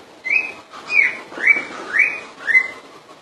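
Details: A common iora sings five bright upslurred whistles in quick succession, roughly two per second, fairly even in pitch and spacing.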